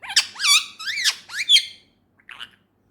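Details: Pet male Indian ringneck parakeet chatters a fast string of loud, bending, nasal syllables for nearly two seconds, followed by silence and one faint short note.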